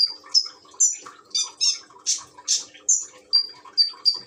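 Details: A common iora in East Java, recorded by phone during gurgling-water therapy to make it sing: high chirps and harsher buzzy notes alternating roughly twice a second over a steady babble of trickling water.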